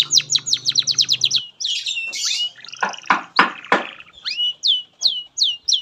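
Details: Canary song for training young birds: a quick run of falling whistles, then harsh broadband notes and scattered clear downslurred whistles, with a low hum under the opening.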